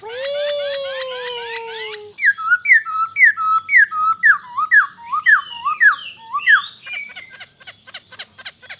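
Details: Poksay Hongkong (masked laughingthrush), an imported songbird, giving a long low whistle with a high buzzy trill, then a loud run of swooping, slurred notes and a fading series of quick ticks.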